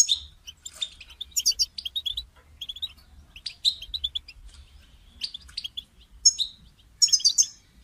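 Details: European goldfinch kept in a cage, recorded to encourage a silent bird to sing; bright liquid twitters and short buzzy notes in scattered bursts, with pauses between phrases.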